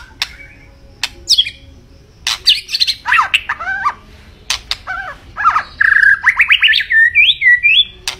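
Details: Lively, varied white-rumped shama song: sharp clicks and rasps, then rich whistled phrases with swooping notes, and finally a quick rising trill of repeated notes ending in high, slurred whistles.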